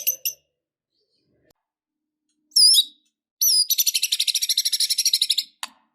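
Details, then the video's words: A white-rumped shama sings a song full of filler phrases, used to rouse a lethargic bird into fighting: a few high chirps, a looping whistled note, then a fast rattling trill of about twenty pulses. "Murai batu Super Loyo tiba Tiba Serontak Emosi Fighter,Dengan Suara Murai Batu Gacor Full isian Ini"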